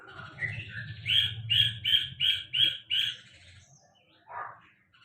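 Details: Sulingan laut song: a rising series of short notes, then about six loud, evenly spaced sharp chirps roughly every half second, ending with a brief lower note after a pause; faint low hum beneath.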